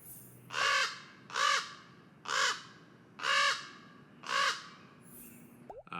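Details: Common Raven in North America giving its loud "ra ra" call, audible for miles: five loud, hoarse croaks, each under half a second, spaced about a second apart against a quiet background.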